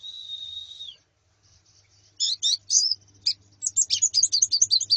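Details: Female and colony Zosterops calls meant to train a male's song: a long thin high whistle, then sharp clipped chirps and a fast run of twittering notes, with a faint low hum beneath.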